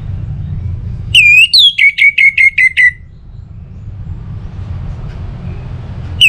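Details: Orange-headed thrush giving a single ngeplong phrase to encourage other birds to sing: a high upslurred opening whistle, then about seven sharp repeated notes at a steady pace, followed by low room hum.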